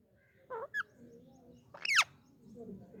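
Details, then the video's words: Talking Indian ringneck parakeet with two brief chirpy notes followed by one loud, sweeping, arched screech against a quiet murmuring background. "Ringneck Talking parrot"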